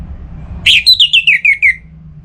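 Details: Kept orange-headed thrush from North Bali, aroused and calling a rival, delivers a brief phrase: a sharp rising sweep followed by six ringing notes that step slowly downward, evenly spaced, over faint low background rumble.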